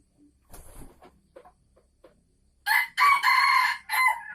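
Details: Red junglefowl hen from Sumatra in a cage, calling ahead of egg-laying: soft scattered clucks, then a loud, harsh, drawn-out cackle in two bursts near the end.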